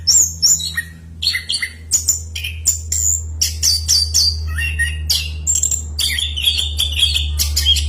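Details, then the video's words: Loud, continuous song of an anis kembang, or orange-headed thrush: varied whistles, trills and clicks delivered almost without pause across a wide pitch range, with a low droning hum in the background. "Suara Burung Anis Kembang Gacor Kicauan Roll Panjang Ngeplong Kencang"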